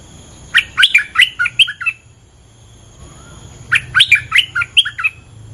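A bulbul sings two bubbly phrases, each of six or seven quick, liquid whistled notes jumping up and down, separated by a short pause; faint low hum beneath.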